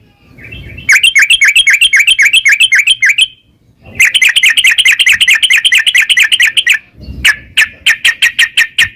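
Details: Yellow-vented bulbul song for prompting a caged bird into singing: loud, rapid bursts of bright chirping notes in long runs, broken by two brief pauses, ending in a slower series of sharp repeated notes.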